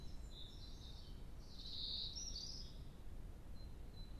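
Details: A great tit defending its garden territory sings loud, clear, high, bright phrases that swell briefly near the middle, over a steady low rumble of background noise.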